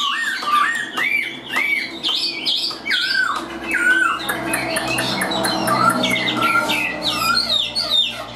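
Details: Chinese hwamei, a tame bird sung from the hand, delivering dense, fast, jumbled song with downslurred whistles and harsh, scratchy notes packed closely together.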